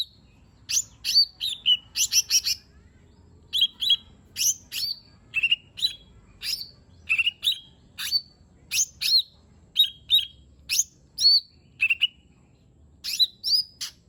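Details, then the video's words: Varied song of a lesser green leafbird, the cucak ijo mini, played as a lure for a lazy singer: a steady stream of crisp chirps, rising and falling whistled notes, and quick doubled phrases, with almost no gaps. "Cucak Ijo Mini 💯 Nembak Isian Bagus Buat Pancingan Jomin Malas Bunyi Agar Cepat Gacor"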